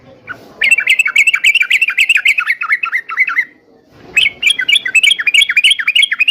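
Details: Yellow-vented bulbul singing, intended to spur trucuk birds to respond: two lively bursts of rapid bubbly chatter, about three and a half notes per second, separated by a brief soft pause.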